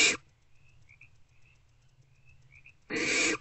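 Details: Barn owlets snuggling in a nest box in the early morning hours of 2 March 2024: a harsh hiss cut short at the start, then a quiet gap with faint high tones, then another rasping hiss.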